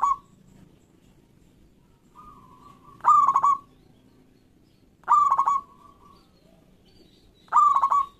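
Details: Zebra dove of a local strain kept to coax silent doves into singing: loud rolling coos repeated every two to two and a half seconds, each preceded by a soft level note and trailing off steadily.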